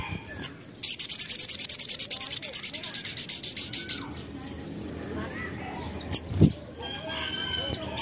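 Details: Lure song of a crimson sunbird meant to provoke other birds: a sharp chirp, then a sustained fast trill of high buzzy notes lasting about three seconds, followed by scattered chirps and soft background sounds.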